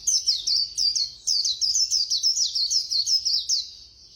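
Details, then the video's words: White-eye delivering speedy khuyên líu song: a nonstop chain of quick, high, downslurred chirps, roughly four per second, ending in a thin fading trill. "Khuyên Líu Hay _ Mau Mỏ _Tốc Độ _Tiếng chim Khuyên Líu"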